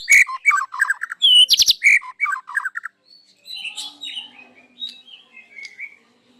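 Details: Morning song of a white-rumped shama in full loud voice, delivering its learned repertoire: rapid bright chattering notes in quick runs, a sharp high burst, then softer varied whistles trailing off.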